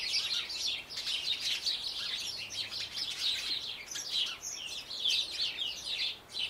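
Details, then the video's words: Eurasian wren in a garden, recorded with slow-motion footage, delivering a long, high, fast rattling trill of tumbling notes, steady and bright throughout with short dips, no other clear sounds. "Winterkoning Eurasian wren"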